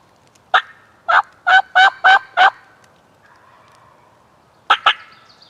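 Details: Wild turkey jake, a young male gobbling and strutting like an adult, about 10 yards from a hunter on public land. Loud, rapid, rattling gobble of six clipped bursts over two seconds, a quiet pause, then two more sharp bursts.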